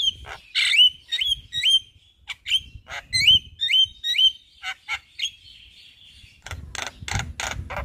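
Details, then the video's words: In front of a house by day, a Javan myna sings its full repertoire: repeated bright upslurred whistles with clicking notes between, ending in a burst of harsh raspy chatter. "Suara Burung Jalak Kebo GAcor Bongkar Isian Siang Hari Di Depan Rumah"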